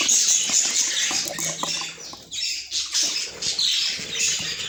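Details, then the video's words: Pet budgerigars chirping: a dense, continuous high-pitched chatter of overlapping squeaky chirps and sharp bright notes, steady throughout with brief dips in loudness, with no other clear sounds. "Budgie Chirps"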